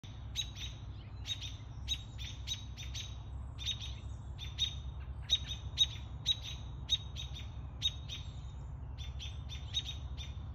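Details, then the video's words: American robins give sharp, high alarm chips in quick, uneven bursts, about two a second, alerting to a barred owl in the trees, Surrey, British Columbia, 18 June 2022, over a steady low rumble. "Robins alerting me to a barred owl in the trees"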